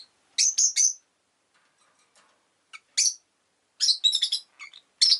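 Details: Rosy-faced lovebird calling in quick clusters of piercing chirps, first a tight triple burst, then single notes and a busy rasping flurry.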